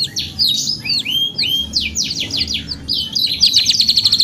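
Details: Singing canary in the gacor panjang style: a run of swooping whistled slurs, then fast sliding notes, finishing in a bright, evenly pulsed high trill.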